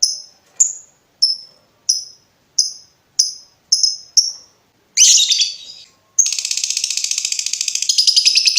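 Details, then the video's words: Lovebird vocalising for use as a tutor recording: eight clean, high clipped chips spaced evenly, then a harsh burst, followed by a long fast rattling trill. "SUARA BURUNG LOVEBIRD NGETIK NGEKEK PANJANG COCOK UNTUK MASTERAN"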